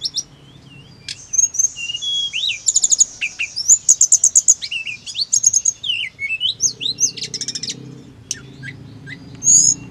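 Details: Hill blue flycatcher song for making caged birds answer quickly and excitedly: a steady series of rapid repeated high chirps, then twisting whistled slurs and trills, over a faint low hum.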